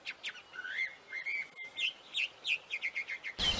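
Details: Wild wambi bird in active song: a quick series of short, bright chirped and slurred notes, some rising, delivered at an uneven but steady pace over a hissy background, ending with a brief burst of noise.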